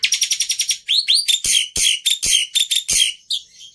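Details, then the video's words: Black-winged myna opens with a fast series of about eight buzzy chips, then two upslurred whistles and a run of loud harsh rasping notes. "Suara Burung Jalak Putih Istimewa"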